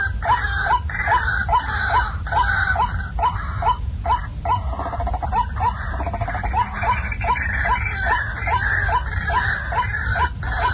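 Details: Waterhen sound broadcast at night as a catching lure: quick rising notes repeated a little over twice a second, with raspy chatter and a brief stuttered run midway, over constant low noise.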